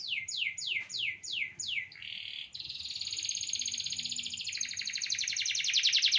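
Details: Canary delivering a series of six falling whistled sweeps, a short buzzy note, then a long, intensifying high rolling trill that grows louder to the end.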